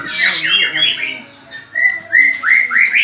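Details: Caged white-rumped shama singing during a mental test match, a burst of tangled notes followed by a string of clear rising whistles repeated about three times a second.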